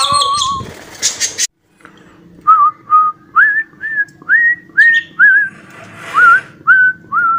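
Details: Cockatiel whistling the imitated song 'Johny Yes Papa'. A short noisy burst and a moment of silence come first, then about ten rising, wavering whistled notes, evenly paced, over a low hum.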